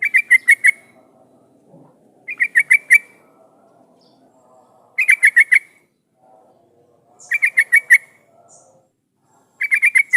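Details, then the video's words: Yellow-vented bulbul singing as a lure to make other bulbuls respond: repeated clusters of four to six quick chirping notes, each burst about half a second long, spaced around two to two and a half seconds apart over quiet low rumble. "suara pancingan trucukan gacor jadikan burung trucukan nyaut dan bunyi"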